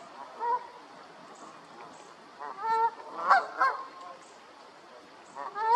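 Canada goose honks: several loud, nasal, two-note calls in irregular bursts, with a quieter goose honking in the background.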